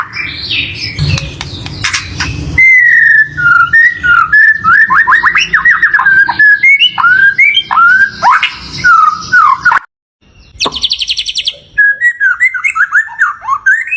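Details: Lure song of a white-rumped shama, meant to set a caged shama singing and excited: a loud, varied stream of rich whistled phrases, slurred downward and upward notes, over background rustling and a brief burst of harsh high noise.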